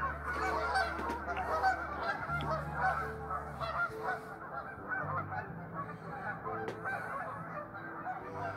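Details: Restless geese honking together in a dense, overlapping chorus, harsh nasal calls rising and falling without a steady rhythm, with a low steady hum running beneath.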